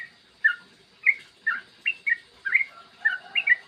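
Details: Yellow-vented bulbul in long rolling 'ropel' song, recorded in the morning: clear bubbly phrases of short warbled notes, each burst roughly half a second apart, rising and falling, against a quiet background.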